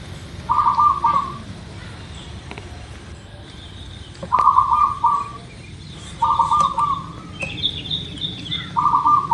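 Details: Local zebra dove, Indonesia, lure recording to prompt singing: four short rolling coo phrases spaced a couple of seconds apart, other small birds chirping higher in between.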